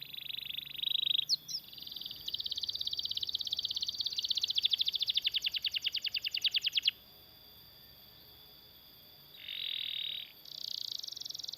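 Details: Lively canary giving a long rolling song, used as a master recording to train other canaries and prompt them to sing: a steady high buzz, then a rapid pulsing trill, a pause and more buzzy phrases over a faint background hiss.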